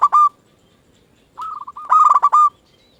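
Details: Local zebra dove, a lure bird that sets other doves answering, gives a brief clipped coo, then after a pause a stuttering run of rapid, rolling mid-pitched coos that ends abruptly; no other sounds.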